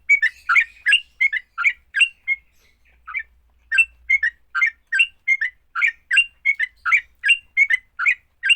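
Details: Sooty-headed bulbul fighting song, used to get other bulbuls singing. Fast bubbly chatter breaks off into a quiet pause of about a second, then resumes as rapid, repeated slurred phrases.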